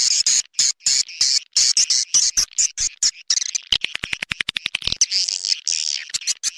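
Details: Swiftlet (walet) calling sound in the clop tanjung style, used by farmers to attract birds to nesting houses: dense bursts of high chirps and buzzy twitters alternating with rapid trains of sharp clicks, quickening toward the middle, no other sounds.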